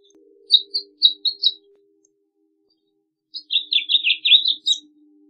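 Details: House finch gives a few separate chirps, then after a pause a rapid burst of warbled, down-slurred notes; a faint low hum runs underneath.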